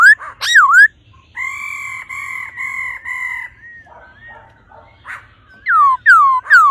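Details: The 'ro ro' call of a female laughingthrush prompting a male: swooping whistled notes, a long sustained buzzy whistle, softer wavering notes, then two loud falling slurs.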